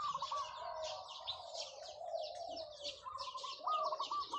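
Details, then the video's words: Zebra dove decoy in long cooing calls, softer and partly masked: low rolling coos at the start and a trilled phrase at the end, with busy high chirping of other birds throughout. "เสียงนกเขาชวาต่อ ออดยาวๆ"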